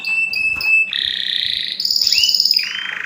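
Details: Canary song for tutoring birds: short clipped whistles, then a buzzy mid-pitched roll, a high trill with a rising sweep, and a final fast rolling tour.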